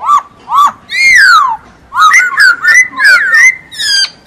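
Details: Masked laughingthrush singing loudly: short wavering whistles, a long falling slur, then a lively chain of rising and falling whistled notes.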